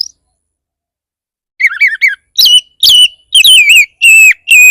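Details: Oriental magpie-robin song meant to trigger singing in other magpie-robins, opening after a silence with a quick warbling trill, then loud, sweet whistles that fall in pitch, repeated about twice a second.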